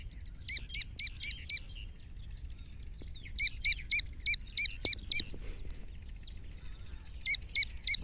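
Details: Black francolin of Iranian stock, a female's lively call (a chick's voice is also mentioned): sharp, high chirps in quick bursts of four to six, about four per second, separated by pauses, over a low rumbling background.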